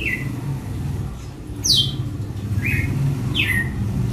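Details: Açoite song of a red-cowled cardinal, four quick descending whistled notes in under four seconds, with a dull low rumble throughout.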